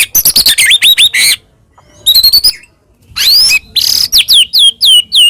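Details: Energetic white-rumped shama song meant to trigger another shama into singing: rapid bursts of high, sharp chips and descending whistled slurs in three phrases separated by short pauses, very high-pitched and rich in varied notes.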